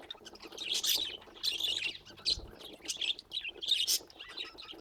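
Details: Several pet budgerigars chattering in short bursts of bright warbling and scratchy chirps about every second, with a brief low thump in the middle.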